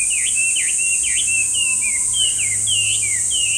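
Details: Chinese hwamei, a loud bird often heard in parks; strong whistled notes dipping in V-shaped swoops, then rising and falling slurs, with faint low hum and steady high hiss behind.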